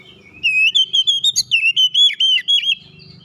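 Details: Oriental magpie-robin in basic tight rolling song (ngeroll rapat): a continuous run of about a dozen quick, loud, whistled and warbled notes lasting two seconds, with slight rising and falling inflections and a faint low hum behind.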